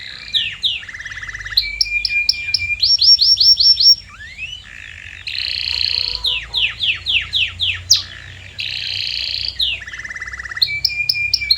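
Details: Varied canary song used as a lure for silent canaries: alternating tours of quick repeated chirps, low buzzy rolls and descending whistled notes, with brief pauses between phrases.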